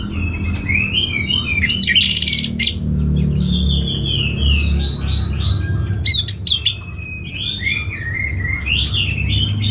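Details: Orange-headed thrush in a cage in northern Bali sings in reply to a played recording, giving long wandering whistled phrases broken by brief harsh chirp bursts, above a steady low rumble.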